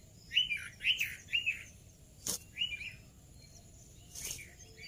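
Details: A tame pair of Indian ringneck parakeets eating fresh fruits and vegetables. Short, harsh, rasping calls come three in quick succession, then one more after a pause, with two sharp clicks and a steady low hum behind.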